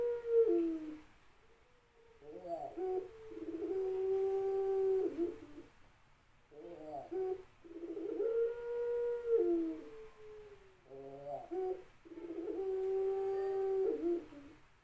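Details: Ringneck dove cooing: low, soft, drawn-out hollow coos in repeated phrases, each opening with a short stuttering burst, then a long steady rolling note, with brief pauses between phrases and a quiet background.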